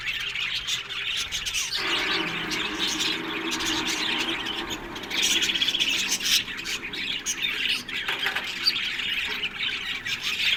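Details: Budgerigars in an aviary colony keep up a steady high chattering of many overlapping chirps, while a lower steady hum rises beneath the flock for a few seconds.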